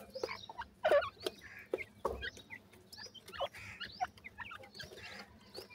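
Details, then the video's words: Sindhi teetar (francolin) chicks twitter with clustered high, slurred cheeps and a few lower squeaky notes, punctuated by sharp clicks and taps. "top sindhi teetar bird k chicks,top pheasant chicks voice"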